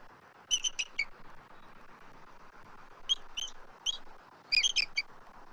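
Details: Adult eagles at a Southwest Florida nest, recorded by nest camera on March 12, 2024, calling as an intruding immature eagle circles the nest tree: three bursts of high, thin piping notes, three or four per burst, over steady background hiss.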